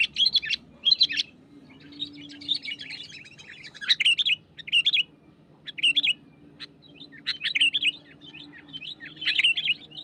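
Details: Sooty-headed bulbul, wild, singing lively against a rival: irregular bursts of chattering, warbled notes mixed with sharp single chips and short gaps, a low steady hum in the background.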